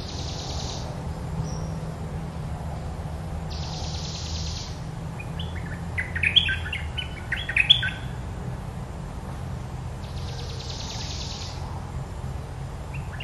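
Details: Red-whiskered bulbul giving two short, bright whistled and warbled phrases around the middle, set between long buzzy insect-like bursts and a steady low rumble of background noise.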